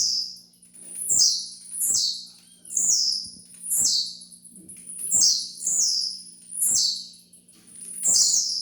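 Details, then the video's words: Blue-black grassquit (tiziu) repeating its thin, buzzy, descending song note about every eight-tenths of a second, around ten times, recorded to train caged birds; soft clicks and low hum underneath. "TREINE SEU TIZIU AGORA MESMO"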